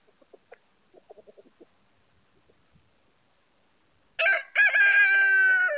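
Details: A Dorking rooster (chicken) gives a few soft clucks, then after a pause breaks into a loud, ringing crow that holds steady to the end.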